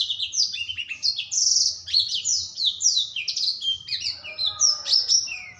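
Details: Nearly continuous warbling from a young black-throated canary whose voice is growing strong: a fast run of high, downward-slurred whistles and chirps, slightly varied, with faint lower tones near the end and a soft hum behind.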